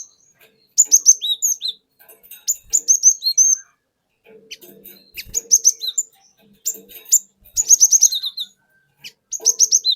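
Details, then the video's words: Forest-caught cinereous tit giving its lure song used to provoke other birds: repeated fast series of high sharp whistles and down-slurred notes in several bursts, with faint low background noise. "Pancingan Burung Glatik Batu Bahan Hutan Auto Ngeplong Wucit Wuit Ngerol Panjang"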